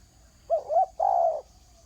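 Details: A single clear phrase from a spotted dove calling on the ground: two quick coos rising and falling, then a drawn-out coo, over quiet surroundings.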